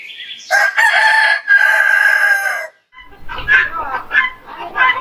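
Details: Morning crow of a rooster, sounded in anticipation of sunrise: a long harmonic cock-a-doodle-doo of about two seconds, held steady, then a brief pause and a run of shorter, choppier calls.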